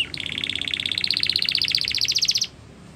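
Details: Canary training song phrase: one sustained, very fast trill of bright repeated notes climbing slightly in pitch and lasting about two and a half seconds before stopping.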